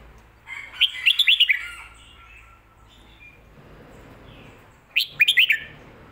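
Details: Song of a red-whiskered bulbul in the Thai styles called Phat Kuay Tiew and Mae Bot, a popular phrasing: a rapid run of clear warbled whistles, a pause of about three seconds, then a second similar phrase.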